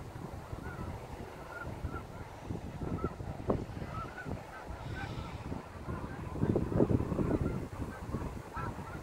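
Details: Snow geese landing at sunset on the Saint Lawrence River in fall 2017, a flock giving many overlapping nasal honks at irregular, rapid intervals, with a denser burst of calling near the end and low rumbling background noise.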